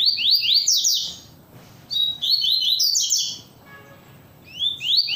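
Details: Captive double-collared seedeater, well kept, singing a tui-tui style song persistently: bright, high whistled phrases of rapid rising slurs, delivered in bursts separated by short pauses.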